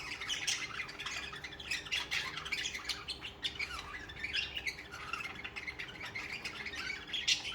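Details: Captive budgerigars warbling nonstop: a dense, chattering stream of bright chirps, rasps and squawky notes with no pauses.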